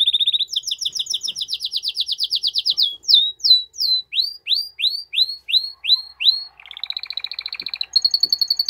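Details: Canary in strong song aimed at getting a female into mating posture: rapid repeated high notes, then a run of upward-swooping whistles about three per second, a low buzzy rattle and a final fast high trill.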